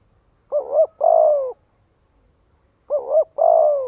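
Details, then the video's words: Spotted dove calling to stir up and gather others of its kind: two cooing phrases, each a quick double-humped note followed by a longer, slightly falling drawn-out coo, spaced about two and a half seconds apart in quiet surroundings. "Tiếng chim cu gáy kích bổi gọi bầy hiệu quả."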